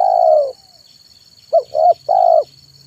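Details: Spotted dove (tekukur) cooing in the afternoon, used as a lure for wild and training doves: one long deep coo, then a pause and three short rounded notes, with a steady high whine throughout.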